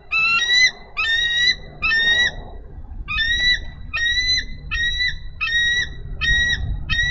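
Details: On a nest-cam recording from Minnesota, 3 May 2013, a female bald eagle calls for her mate to take over incubation. Three longer shrill notes are followed after a pause by six shorter, sharper, high piping notes in steady succession.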